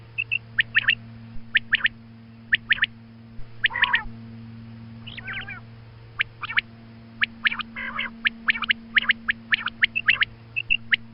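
A female quail gives short, sharp clicking notes in irregular bursts, some quick doubled ticks, with a few thin whistles and a steady electrical hum beneath.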